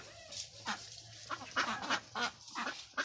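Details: Farm ducks calling with scattered nasal quacks, fairly quiet, several short notes spaced irregularly over a few seconds.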